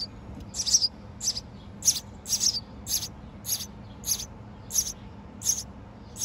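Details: Very young nestlings in a backyard birdhouse, recorded June 18, 2024, as the mother brings food: about eleven short, high, thin chirps repeated roughly every half second, with a faint low hum beneath.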